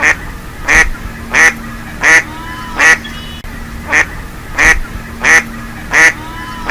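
A mallard gives a steady run of harsh, nasal quacks, about one every three-quarters of a second, with a faint low hum underneath.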